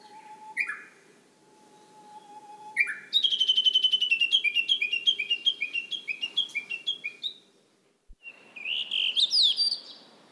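Blue rock thrush singing clear, fluty phrases: a low whistle, a rising note, then a quick run of ringing notes stepping downward, and a final bright warble.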